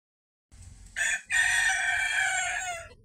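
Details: Bantam rooster crowing: a short opening note, a brief pause, then a long, loud, strained crow held for about a second and a half that slowly falls at the end, over a faint low background rumble.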